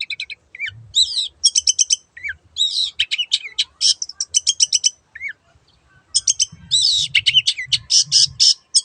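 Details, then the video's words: Long-tailed shrike song in lively bursts: fast trills of high chips, harsh scratchy phrases and slurred whistles, separated by short pauses, with faint low background noise. "BURUNG CENDET GACOR YANG BISU JADI BUKA SUARA DAN IKUT BUNYI"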